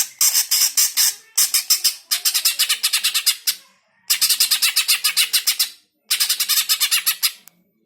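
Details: Greater green leafbird (cucak hijau) sounding off in loud, harsh bursts of rapid, buzzy chattering notes, each burst about one to one and a half seconds long with short pauses between, used to provoke kept birds into singing.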